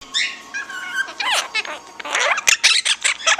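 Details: Two pet Monk parakeets (Quaker parrots) chattering indoors in quick, varied bursts of squeaky, warbling and harsh notes.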